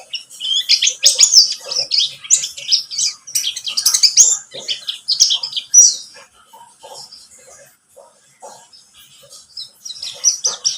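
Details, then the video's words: Lure song of a buxtomi-type white-eye, used to get other birds singing: about six seconds of loud, dense high chirping and twitters, then a quieter, sparser stretch of soft notes before the chirping picks up again. "Pancingan pleci buxtomi agar bunyi"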